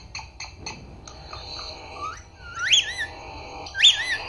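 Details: Talking parrot saying "Papa" and "Mummy": three quick clipped notes, a level nasal tone, then two loud, bright, rising-and-falling whistled syllables near the end.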